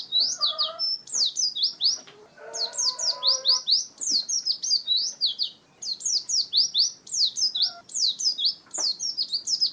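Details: Oriental white-eye song, shared as a lure and tutor recording for other cage songbirds: fast bursts of high, thin, downward-slurred twittering notes in long runs, with short gaps between phrases and faint lower warbling early on.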